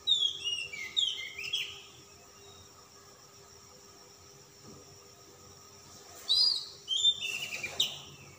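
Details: Calm-type kacer, an Oriental magpie-robin, singing insistently during display with a luxurious fill. Sharp, high whistled and warbled notes come in two bursts, one near the start and one near the end, separated by a quiet gap of several seconds.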